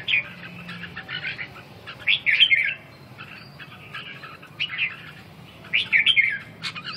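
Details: A Red-whiskered bulbul (Pycnonotus jocosus) sings short, bright, warbled whistle phrases every one to two seconds, with a few quieter chirps between them and a faint background hum.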